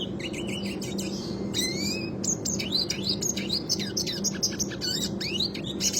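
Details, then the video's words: Red siskin in classic rolling song used for tutoring birds: a fast, unbroken twitter of chirps, rising and falling slurred whistles and rattling rolls, over a steady low electrical hum. "Burung Red Siskin Klasik suara ngerol untuk masteran"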